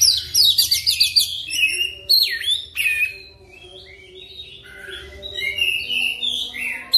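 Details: Oriental magpie-robin (kacer) lure song used for training, fast rolling style: rapid bursts of bright high chirps and trills, then varied whistled phrases with downslurred and upslurred notes, continuing at a lively pace.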